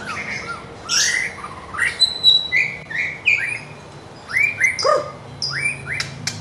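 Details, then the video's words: White-rumped shama song used to train birds in the morning: separate clear whistled phrases, upslurred and downslurred notes, one every second or so, with short gaps of quiet between them. "Murai Batu Gacor Dor Full Isian || Untuk Melatih Burung Di Pagi Hari"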